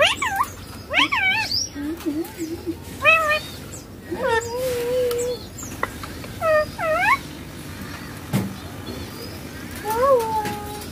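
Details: Pet ringneck green parrot talking while playing on a mobile phone: a series of high, strongly harmonic mimicked word-like phrases, rising and falling, some drawn out, separated by short pauses over faint background hiss.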